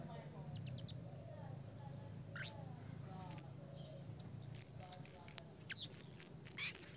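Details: Blue-crowned hanging parrot calls used as a trapping lure: thin, high, squeaky chirps in short bursts, a run of rapid sharp notes near the end, over a faint low hum.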